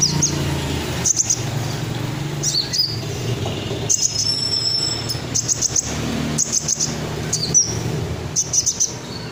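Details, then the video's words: Red sunbird singing in ngobra style, offered as a master recording for training murai batu, kacer and cucak ijo: sharp, very high chirps and short twittering bursts in irregular clusters over steady low rumbling background noise. "Burung Kolibri Ninja Dada Merah Joss , isiannya Mantap , Red Sunbird"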